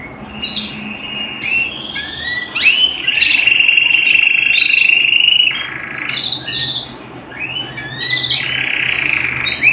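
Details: Canary singing at home: short sweeping chirps, then a long steady rolling high trill held for about three seconds, then more chirps and a bright buzzy trill.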